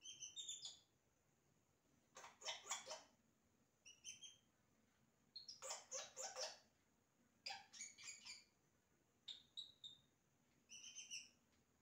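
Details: Yellow-rumped cacique singing imitations, repeated phrases of harsh crackling rattles mixed with high clear whistled notes, each burst lasting about a second with short gaps.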